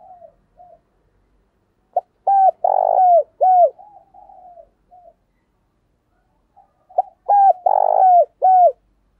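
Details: Decoy spotted dove calling to lure wild doves, giving insistent lure coos and calling coos: two bursts of short, hollow, low coos, a soft drawn-out note between them, several notes bending downward, and a quiet indoor background.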